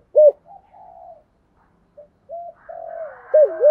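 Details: Spotted dove singing in the 'thổ sấm' voice style with a two-ending call; one sharp coo, then faint, murmuring low notes and a drawn-out note before another loud coo at the end.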